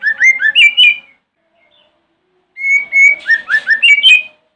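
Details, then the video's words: White-rumped shama singing in the morning as a provocation lure for other shamas: two phrases of repeated rising whistled notes with high chirps, separated by a quiet gap of about a second and a half. "Pancingan murai Batu Pagi hari | bikin murai manapun langsung nyahut"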